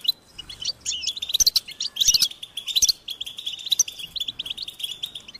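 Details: European goldfinch chicks calling for feeding by their parents, a high-pitched, insistent begging. Sharp chirps and buzzy twitters arrive in loud clusters, some bright whistled notes standing out among them.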